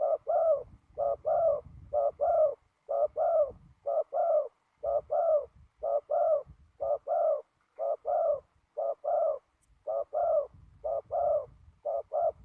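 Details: Spotted dove decoy on the ground in a trapping session on a windy day. It gives a long, even series of about fourteen two-part coos, a quick note then a longer falling purr, roughly one per second, over light low rumble.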